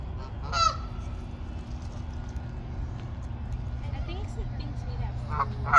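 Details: Two loud, harsh honks from a Canada goose at a pond, one early and one at the end, over a steady low rumble with faint background chatter.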